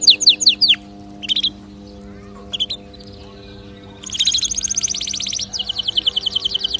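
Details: Canary song offered to stimulate other birds to sing: a few sharp descending notes and scattered chirps separated by quiet gaps, then a long, fast, bright trill running to the end.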